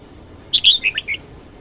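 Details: Red-whiskered bulbul singing in the morning, a short lively phrase of about five clear, slurred whistles that dip and rise, set against near silence.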